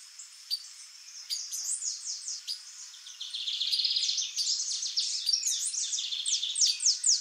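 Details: Chorão or cigarra-rainha, a female white-bellied seedeater, starts with sparse high notes and builds into a loud stream of quick downslurred whistles and chips repeated steadily.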